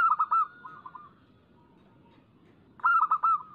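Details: Local zebra dove cooing for a lure recording: a rapid stuttered phrase fading into softer spaced coos, a short pause, then another loud burst of quick rolling notes.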